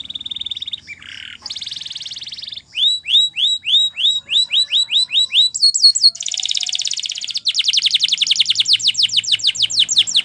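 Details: A canary's Timbrado-style training song: a steady trill, a harsh buzzy burst, then about a dozen evenly spaced upward-curving whistles, ending in a very fast bright rattling trill.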